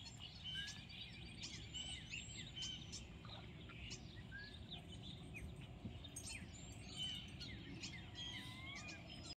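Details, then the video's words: First purple martin scouts arriving: a steady outdoor chorus of overlapping chirps, gurgles and short rising and falling whistled notes, with several birds calling at once over a constant low rumble of background noise. "First Purple Martin 💜 Scouts"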